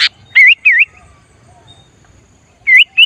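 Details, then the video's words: Sooty-headed bulbul in full song, used as a lure bird to draw in wild bulbuls: a sharp opening chirp, then bright, bubbly whistled phrases that wobble up and down. After a pause come two more liquid phrases. Faint low rumble underneath. "Kutilang Gacor Memancing Kutilang Liar"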